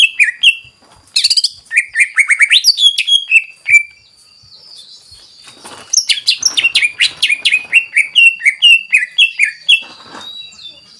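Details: Greater green leafbird singing a rich, varied song meant to excite other birds: slurred whistles, a dense burst of rapid notes, then a long series of quick descending whistled chirps before a brief lull.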